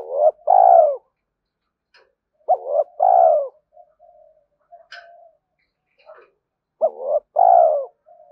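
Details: Spotted dove calls used to lure and train decoy birds: three low, throaty coo phrases about three seconds apart. Each is a short upswept note leading into a drawn-out falling coo, with quiet soft notes between phrases.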